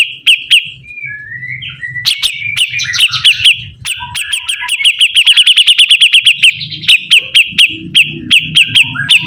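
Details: Sibuntung bird in lively song: long runs of rapid, sharp high notes with a few descending whistles, rising to a dense, fast trill midway, over a faint low hum.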